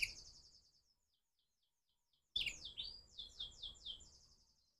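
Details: A crossbred canary sings in the morning. A high trill fades out, then after a pause a loud burst gives way to a run of repeated downward-sweeping whistled notes and a thin trailing trill.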